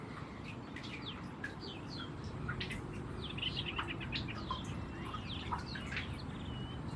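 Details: White-rumped munia eating seeds: a busy run of short, high chirps and thin rising notes, quickly repeated and overlapping, with soft clicks, over a steady low background hiss.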